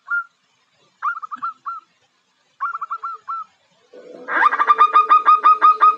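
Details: Zebra dove female (perkutut) calling to entice a male: short clusters of three or four quick soft notes separated by silences, then a loud, dense run of rapid repeated rolling notes with a faint steady hum underneath.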